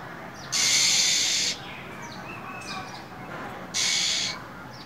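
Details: Female than songbird in the winter cold hissing repeatedly to excite a male: two harsh one-second hissing bursts with faint thin notes in the pause.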